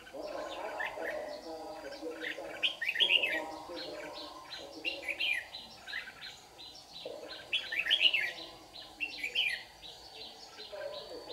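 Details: Red-whiskered bulbul lure bird singing competitively in the morning during trapping in Đồng Nai, Vietnam, 26 June 2019; bright warbled phrases repeated in bursts, with a steady high insect-like whine and low rumbling background.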